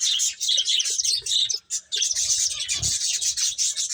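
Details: A loud, nearly unbroken wall of high finch chirps while the birds eat, many voices overlapping, with a short pause and faint low knocks in the background.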